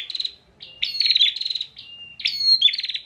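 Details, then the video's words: Caged bar-winged prinia from Pemalang, Central Java, tutoring other songbirds with fast stuttering buzzy trills, a long thin level whistle in the middle, then sharp high chirps and another rattling trill. "PRENJAK GACOR NGOTOT UNTUK MASTERAN"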